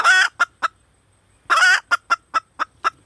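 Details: Female red junglefowl calling loudly, with a gritty drawn-out squawk and a few clucks, then a pause, then another squawk leading into six rhythmic clucks.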